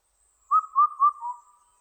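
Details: One phrase of the Indian cuckoo's song from a 2020 recording: four whistled notes, three bright and evenly paced, the fourth lower and fainter, with nothing else audible.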